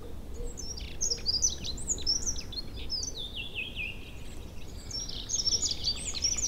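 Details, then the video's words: Newly returned birds sing in an April forest and meadow in early spring, with a swollen river nearby. Sharp, high descending notes and chirps come in quick succession from several singers over a constant low rush of water. "Songs birds in early spring."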